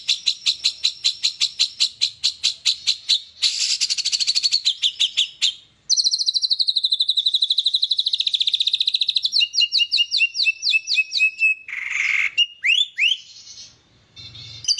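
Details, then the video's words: White-rumped shama in a song competition, producing varied song material: long runs of rapid, clicking trill notes, buzzy phrases, a fast rattling series, then slurred, whistled upsweeps and a rough burst, all high-pitched. "sebab #lombamuraibatu keluar isian"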